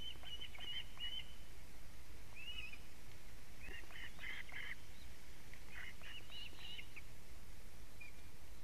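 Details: At a Latvian osprey nest on a July 2017 evening, alarm calls as the male arrives carrying a living fish: clusters of fast, high, somewhat harsh chirps in uneven bursts, with strong steady background rumble.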